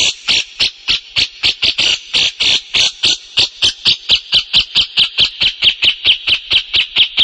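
A grey-cheeked bulbul gives a long series of harsh, scratchy high notes, about four per second, steady and unbroken against a quiet background.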